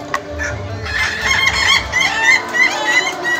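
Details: Ayam ketawa roosters crowing during an Indonesian contest final: after a quiet start, a rapid string of short, chirpy, laughing syllables runs on over a murmur of crowd noise.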